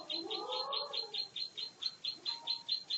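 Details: Champion prinia, called ciblek sawah, singing a fighting song: a steady string of bright, buzzy high notes repeated about twice per second. A lower warbling phrase is heard early on.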